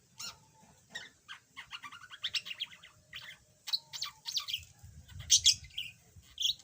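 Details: Yellow budgerigar, previously mute, warbling softly at first, then louder: trains of rapid ticking chirps building into squeaky, buzzy phrases with sharp clicks near the end.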